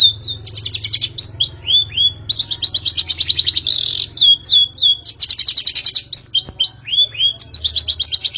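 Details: Long-tailed shrike lure for prompting a bird to sing: high rapid trills alternate with quick downward-slurred whistles in a fast, varied, continuous sequence.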